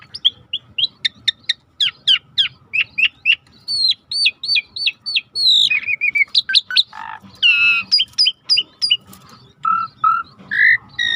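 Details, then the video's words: Starling in full song for a training recording: a fast run of repeated clipped whistles, then dense rattling trills and lower warbled whistles toward the end. "Suara jarak Suret gacor /the sound of the starling suret gacor masteran"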